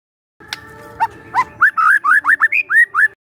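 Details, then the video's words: Young forest White-rumped shama lure song: a few scattered clicks, then a run of clear rising whistled notes repeated about twice a second, over a faint low hum. "PANCINGAN SANTAI MURAI MUDA HUTAN🔴🔴 shama bird🔴 bird vocalization🔴"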